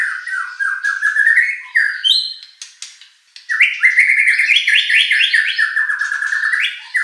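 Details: Murai batu, or white-rumped shama, singing a lure song meant to provoke a contest bird into replying: long runs of slurred descending whistles, a short pause, then a lively rising and falling whistled sequence.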